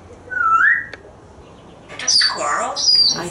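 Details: Pet African grey parrot, a male hatched in 1997, kept indoors at home in Texas and watching squirrels from a screen porch: a rising whistle, then a burst of harsh, squawky speech-like sounds.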